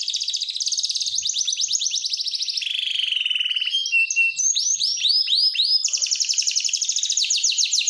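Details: Male big-size canary in full song: long fast trills of rapid repeated notes, a lower rolling tour, then sweeping rising-falling whistles before a bright high trill.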